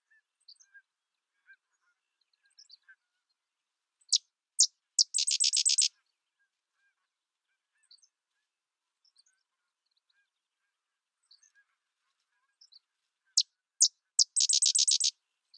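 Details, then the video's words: Two sedge wren songs about ten seconds apart, each two or three sharp introductory notes followed by a fast, dry, rattling chatter, with faint high chips scattered between. "Sedge Wren Bird Sound"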